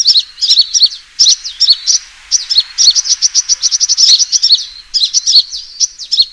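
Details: Lure recording of a sunbird's fighting call: bursts of high, rapid chipping and twittered descending notes, separated by short pauses.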